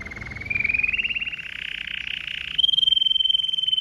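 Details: Red Mosaic Agate canary delivering powerful song: a fast pulsed trill rising gradually in pitch, then switching to a clear, sustained pure whistle held for over a second.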